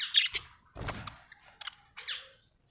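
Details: Budgies at home giving high chirps and warbled notes, with a brief rustling thud partway through.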